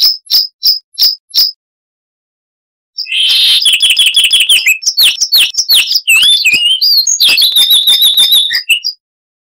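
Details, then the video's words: Five evenly spaced high chips from a Chestnut-vented warbler, a pause of about a second and a half, then a long, loud, clear run of rapid warbling and sliding whistles. "Masteran Burung Luar Negeri Suara Asli Kristal HD - Chestnut-vented Warbler (Sylvia Subcaerulea)"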